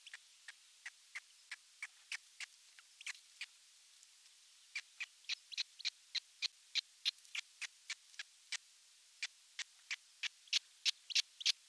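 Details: A baby osprey sitting alone in its nest at a nest site in the Satakunta region of Western Finland, on June 29, 2022. It gives a run of sharp, high chirps, about three a second, with a brief pause midway.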